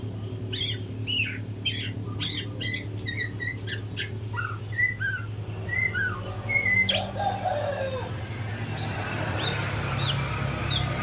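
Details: Spotted juvenile white-rumped shama practising song in the morning: scattered short whistles and sharp clicks early on, growing sparser and fainter later, over a persistent low hum.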